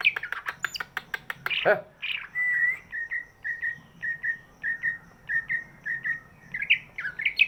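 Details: Big greater green leafbird, its song meant to stimulate quiet birds: after fast ticking chirps, a clear whistle followed by a string of short even whistled notes roughly every half second, ending in rising chips.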